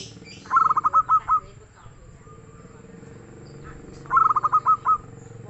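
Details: Zebra dove of local stock singing richly, a rapid burst of clipped coo notes that slows into two or three drawn-out final notes, repeated after about three and a half seconds over a low steady hum.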